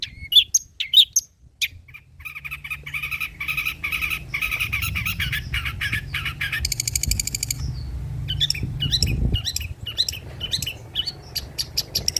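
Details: Long-tailed shrike singing rich old-style material for luring and tutoring birds: sharp whistled notes, then a long stretch of dense scratchy chatter over steady broadband noise, ending in quick rising chirps.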